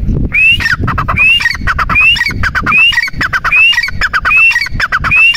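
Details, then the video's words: Partridge (teetar, possibly dakhni teetar) calling loudly in a fast run of shrill, rising whistled notes, each followed by harsh lower squawks, repeating about every two-thirds of a second. "Teetar ki awaaz"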